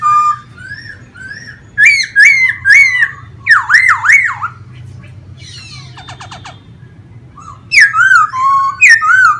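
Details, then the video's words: Pet laughingthrush in a cage, performing song while spreading and dancing; loud varied phrases of rich slurred whistles, wavering loops and a dry rattle, repeated in quick bursts with short pauses. "em khướu hót múa xòe như máy bay"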